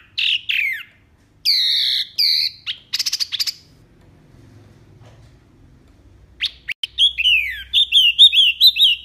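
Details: Mini wambi song: a lively, varied run of high chirps, rising whistles and quick buzzy trills, delivered in bursts with short pauses between.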